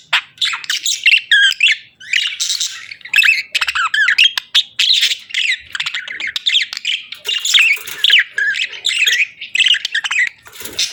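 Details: Budgerigars sing and play, pouring out a long warbling chatter of rapid, modulated chirps and squeaks with hardly a break.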